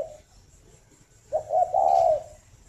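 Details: {'caption': 'Farm-bred spotted dove in Ba Vì, Hanoi, in the morning. The tail of one coo is followed, after silence, by a full phrase of two short soft notes rising into a long, level, hollow coo.'}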